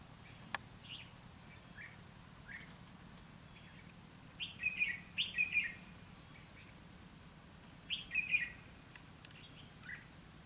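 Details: Red-whiskered bulbul singing in fighting style during a trapping session aimed at wild birds, 29 February 2016; two bursts of quick chattering whistled phrases with a gap of about three seconds, plus a sharp click and faint low rumble.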